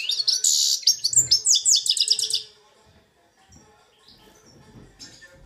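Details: Two-year-old pet goldfinch x red siskin hybrid in Belfast singing Algerian goldfinch-style song: a rapid burst of high, twittering and buzzy notes for about two and a half seconds, then near silence with faint room noise.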